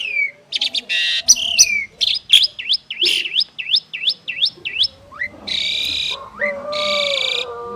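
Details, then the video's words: Asian pied starling duet, two prized birds: a series of quick V-shaped whistles, about two per second, then harsh buzzy bursts and a low drawn tone. "Jalak Suren Istimewa | Duet 2 Burung Juara"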